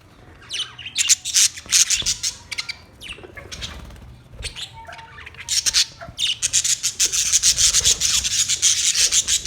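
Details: Australian parrot squawking almost continuously in shrill, rasping pulses, a long dense run at the start and another building toward the end after a quieter pause.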